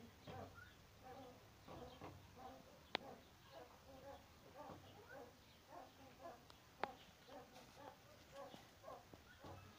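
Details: Captive blue eared pheasants at a pheasant nursery, where the female has laid an egg and the male is building a nest, give short, harsh, nasal clucks in loose, irregular mid-pitched bursts, with two sharp clicks in between.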